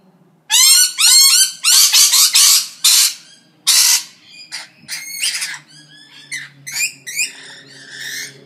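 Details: Parrots trading loud raspy squawks and rising screeches in quick succession, fading into softer chattering notes and clicks toward the end, with a steady low hum behind.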